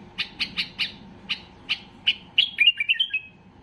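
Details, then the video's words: Highly worked-up white-eared bulbul, singing to make other bulbuls sing: clipped bright notes at a steady pace that quicken into a short, tumbling, warbled flourish at the end. "اقوى تغريد بلبل بصراوي لفتح البلابل القافلة"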